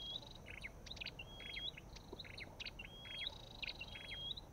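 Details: Calls of an Olive-backed tailorbird: quick buzzy chip notes alternating with drawn-out, slightly rising whistles, several phrases in rapid succession, with soft outdoor noise underneath.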